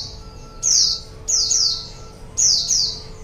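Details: ['White-eye lure recording for attracting wild birds: three bursts of bright, high, downslurred chirps, each doubled into quick pairs, over a faint steady hum.']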